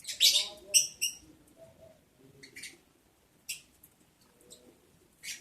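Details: Lovebirds mating during breeding season, day 11 of breeding progress, July 11, 2022: sharp, ringing high chirps repeated quickly in a short run, then spaced single shrill notes, over a faint low rumble.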